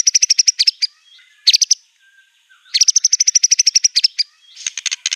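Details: Fierce white-rumped shama song filled with copied canary, cililin, cungkok and LB kapas material: rapid high chirp trills in three bursts separated by short quiet gaps, ending in a looser, scratchier series.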